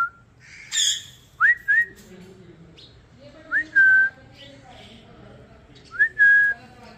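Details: Indian ringneck parrot, a blue bird, repeats a rising two-part whistle several times with pauses between, alongside a brief harsh squawk and soft background voices.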